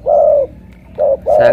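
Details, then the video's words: A Spotted dove from Cà Mau, singing in the deep thổ cọp manner likened to a pigeon, gives one longer low coo followed by two shorter ones in quick succession. "Thổ cọp âm khủng hình như bồ câu"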